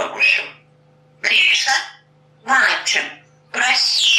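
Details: A talking African grey parrot from Russia, a talking-bird championship competitor, gives four bright, raspy bursts of mimicked speech, about one every second and a quarter, over a faint indoor hum.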